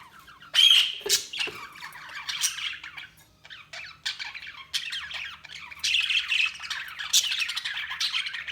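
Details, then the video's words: Budgerigars chirping in a lively stream of squawks and warbled chatter, harsh high notes bursting at intervals over continuous busy twittering. "Budgies Sounds| Budgies Chirping sound"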